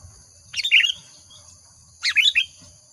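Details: Two separate bubbly sooty-headed bulbul phrases of slurred, warbled notes, about one and a half seconds apart, with a soft low background rumble, used as a lure sound.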